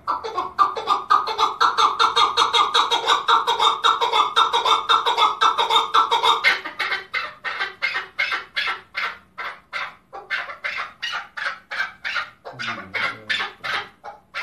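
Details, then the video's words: Singing male chukar partridge (keklik), Tajikistan, 2020: a long, rapid run of grating chuk notes that become more clipped and separate halfway through, continuing steadily to the end. "Как поёт горная Куропатка,Каклик"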